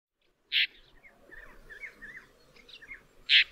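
Woodchat shrike song: a rambling run of short warbled and chattering notes, bracketed by two loud harsh bursts, over a faint background hiss.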